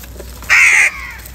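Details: Crow in the morning, fighting for food: one loud, harsh, flat caw lasting under half a second, with faint background noise before and after.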